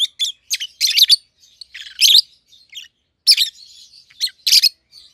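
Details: A captive pair of peach-faced lovebirds, red-headed green opaline and red-faced dark green, seven to eight months old, giving irregular shrill chirps and squeaky chatter, some notes doubled, others trailing into soft twitters.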